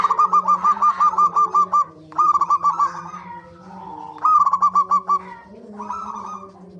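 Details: Zebra dove song used as a lure to make birds sing actively: bursts of rapid, stuttering pulsed coos repeated in trains about every two seconds, over a steady low droning background.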